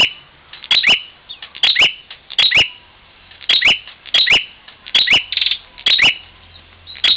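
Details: Bar-winged prinia in Parigi, Ciamis, West Java, fighting a mirror: steady run of sharp high paired chips with quick downslurs, roughly one pair per second, with a brief buzzy note near the end.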